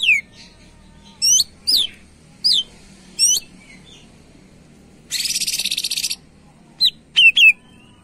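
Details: Sharp high chirps from a greater green leafbird singing gacor, used to lure other birds. The chirps come in a spaced series, then a second-long rapid buzzing rattle, then more twisting whistled notes.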